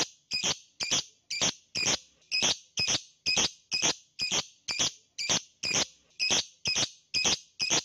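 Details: Lovebird call used as a training recording to get silent lovebirds to sing with a long trill; sharp, high, squawking notes repeated evenly about twice a second, each a short bright burst, with nothing else heard.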